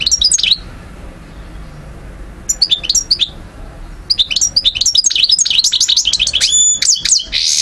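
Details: Parva goldfinch near Algiers, Algeria, 2012, beginning with short separated clusters of bright chips, then building into an unbroken run of quick twitters and a brief buzzy ending.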